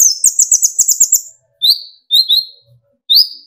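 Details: Sunbird (kolibri ninja) singing to provoke rivals into song: a fast run of high sharp twitters opens, followed by spaced, thin, down-slurred whistled notes.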